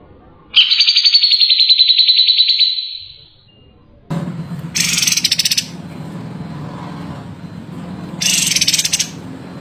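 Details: Long-tailed shrike, a kept songbird, pouring out a fast, high, rattling trill that slowly tapers off, followed by low background rumble and two short bursts of hissing, buzzy noise.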